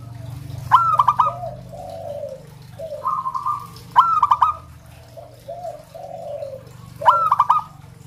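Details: Three staccato cooing phrases from a local zebra dove, about three seconds apart. Softer, lower coos come between them over a steady low background hum.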